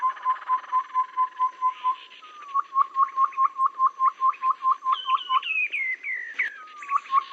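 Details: Lure audio of a babbler for trapping birds, rainy or dry season: steady strings of brief, repeated mid-pitched notes, then a higher, stepwise descending whistled phrase, with faint buzzy chatter behind.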